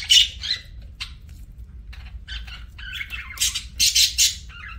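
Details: Budgerigar feeding, a few rasping squawks and chirps separated by quiet stretches, ending in louder harsh bursts, with a low hum beneath.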